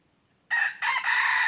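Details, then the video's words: Wild red junglefowl trapping with a decoy, 23 January 2022: after near silence, a rooster-style crow bursts in, a harsh first syllable, a short break, then a long drawn-out rasping section held to the end. "ต่อไก่ป่า Dib qaib qus tuaj zoo heev"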